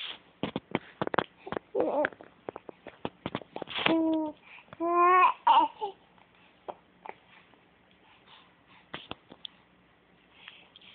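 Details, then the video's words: A talkative female pet raven, getting excited, runs through quick dry clicks and knocks, then a few nasal, gurgling croaks with rising inflections, before trailing off into soft scattered clicks. "Raven making noises."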